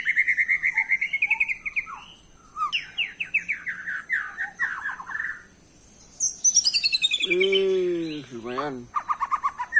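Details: White-rumped shama lure song meant to provoke a reply: rapid repeated chirps and trills, a lower buzzy nasal note near the end, then quick high phrases over a steady high hiss.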